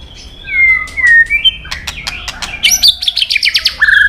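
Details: White-rumped shama in competition singing: smooth whistled glides, then rapid clicks and a high ringing series of repeated notes, closing on a buzzy phrase.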